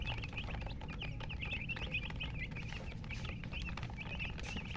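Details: Murgi, colour chickens, giving rapid high chirps: dense strings of short peeps, some overlapping, with a steady low hum beneath.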